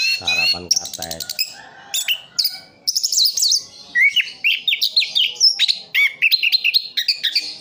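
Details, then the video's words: Captive orange-headed thrush in Sidoarjo, East Java, in full rolling song: after a brief low buzzy sound, it pours out quick high twitters, then a long chain of short rising and falling whistled notes. "Anis kembang "Anti Gempa". Rooll full"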